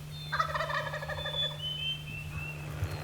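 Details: A wild turkey longbeard gobbles on an April early morning in the woods during a hunt with aggressive calling, one loud, rapid, rattling gobble just over a second, over a steady low hum and a few thin, high whistled notes.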